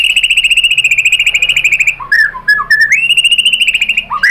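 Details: White-rumped shama song used as a lure to provoke other birds to sing: a long rapid trill of repeated notes holding steady, a brief break of varied lower whistled phrases, then the fast trill resumes.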